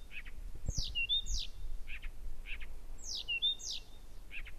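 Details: Blyth's reed warbler singing constantly and very powerfully at Gerå Engvej at 1 a.m. on 15 June 2014; a phrase of falling high sweeps and a short level whistle, given twice, between short buzzy notes, with low thumps beneath.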